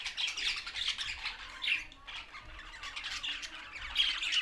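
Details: Many budgies from Larkana, Sindh chatter in loud bursts of rasping, warbled notes. A brief lull comes near two seconds before the busy chirping and squawking resumes.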